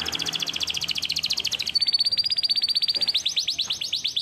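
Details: Canary singing for song training, a rapid run of high trilled notes that shifts partway into a steadier buzzy rolling trill, then quick rising chirps, all fast and continuous with little background noise.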